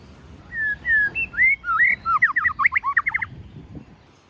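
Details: White-rumped shama in forest-voice song meant to stir young birds: a few mellow whistled slurs build into a rapid, tumbling string of varied whistled notes before fading out.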